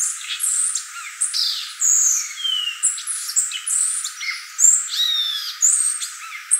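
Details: Violaceous euphonia, called gaturamo verdadeiro or guriatã, singing a rapid, varied, nearly continuous stream of high chirps, short clear whistles, sharp downslurred notes and brief buzzy trills, with short pauses between bursts and no low-pitched sound present.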